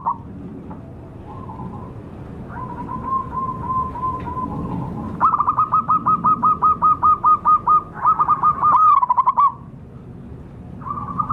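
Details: Wild local zebra doves, a lure for wild birds: soft cooing builds into a long, loud chain of rapid regular pulsed notes, then fades back to quieter background calls.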